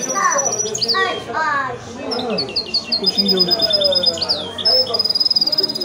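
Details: Hybrid goldfinch × canary mule bred from a male goldfinch and a female canary. It sings high whistled phrases and sweeping notes, then ends in a fast, evenly repeated trill, with a man talking over the song.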